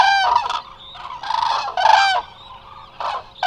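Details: Eurasian cranes resting in numbers at Israel's Hula Nature Reserve: a few drawn-out, rasping trumpet notes, each half a second or longer, from overlapping birds, recorded on a live camera.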